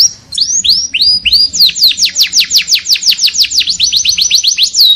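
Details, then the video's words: White-eye song opening with a few rising swoops, then a long rapid series of steep descending whistled notes, evenly spaced and accelerating. "Masteran pleci bunyi ngalas Gacooor"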